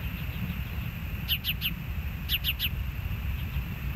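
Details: Live nest camera at the Hellgate osprey nest, 06/04/2024, 13:10: two quick triplets of piercing, slightly downslurred whistles about a second apart, with soft low background rumble.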